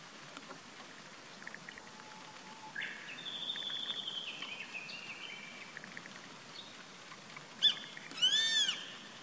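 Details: A Grey-faced buzzard calling from a treetop on 14 April 2019 gives a high, thin whistle, then a loud two-part call, a sharp note and a slurred arched whistle, over soft outdoor background noise.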